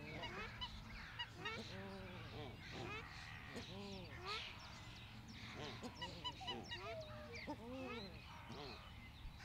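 Australian shelducks give repeated nasal, goose-like honks, often several in quick series, over a steady background hiss with faint higher calls from other waterfowl.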